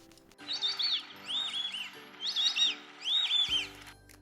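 Ducklings peep in shrill, high chirps, about four quick bursts in as many seconds, over a faint steady low hum.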